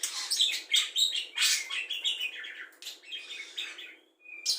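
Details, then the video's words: Budgerigar with a repertoire of cucak jenggot, kapas tembak, lovebird ngekek and fighting sparrow imitations; lively burst of chirps and harsh chatters fading into quieter warbling, a short clear whistle, then one final loud note. "Parkit isian mewah cocok untuk memaster burung kicau"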